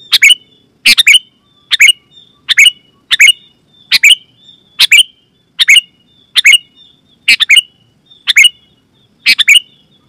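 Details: Vigorous sooty-headed bulbul calling, loud and clear, used to summon wild bulbuls and set others singing; about thirteen sharp paired chirps with faint whistled tails, delivered rapidly and steadily with little background noise.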